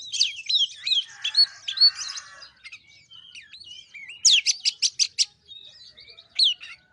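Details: Lure song of a white-rumped shama, used to make a bird sing: varied whistled phrases, then a fast burst of sharp, repeated high notes near the middle, with scattered chirps and sweeping whistles toward the end.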